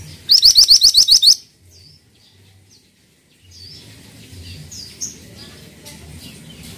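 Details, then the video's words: Pied triller song: a rapid volley of about eight high rising notes at the start, then softer scattered chirps and a low background hum. "MANTENAN GACOR"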